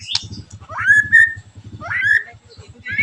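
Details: White-rumped shama song used to provoke other shamas into singing: rough, sharp whistled phrases sweeping upward then holding steady, repeated about once a second, over a steady low rhythmic thumping throughout.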